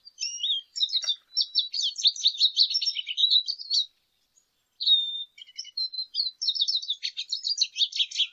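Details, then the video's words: Lesser goldfinch (Spinus psaltria) song: rapid jumbled twittering of high chirps, trills and short whistled slurs, two bursts of about four and three and a half seconds separated by a brief pause, no other sounds. "Jilguero Aliblanco Canto - Lesser Goldfinch Song - Lesser Goldfinch Call -Spinus Psaltria"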